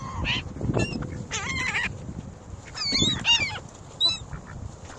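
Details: Ring-billed gulls jostling for bread, crackers and cereal at North Lakes, phone placed amid the crowd: scattered nasal, wailing calls, some rising and falling, from several birds over constant low background noise.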